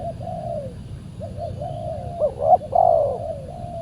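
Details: Spotted dove (tekukur) calling at a decoy during a Saturday trapping outing, the wild bird reported as very aggressive; drawn-out soft coos, then a quick looping double note and a louder long coo, with faint low rumble behind.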